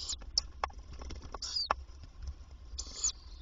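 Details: Daytime nest box scene, 27 May 2023: a female tawny owl visits to feed her young. Rough, breathy hisses and sharp clicks, including a longer wheezy burst near the end, over a steady low hum.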